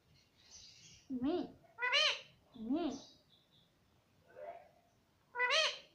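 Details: A talking pet parrot said to say "mummy" and "papa" gives short wavering nasal syllables in pairs, separated by brief quiet gaps, ending with a loud rising call.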